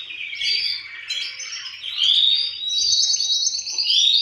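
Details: Several caged male canaries sing in reply to a lead singer, noise meant to push the birds to breed; dense high warbling with rising and falling slides, running unbroken and growing louder toward the end.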